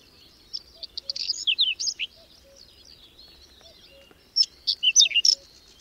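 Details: In a cold, windy May snowfall near Domzheritsy, Berezinsky Biosphere Reserve, a whinchat gives two separate bursts of rapid high chips and whistles, with quiet low piping notes in between.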